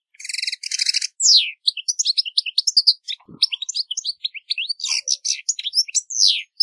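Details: European goldfinch singing in nature: opening nasal buzzy notes, then a lively jumble of fast high twitters, slurred whistles and tinkling chirps in quick succession.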